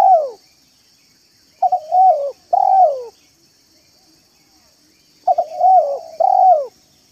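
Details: Spotted dove recorded as a lure to attract wild doves, singing in the manggung and meratus styles: loud, throaty cooing phrases of three to four notes, the last drawn out and falling, repeated twice with a pause between, over a faint steady hiss.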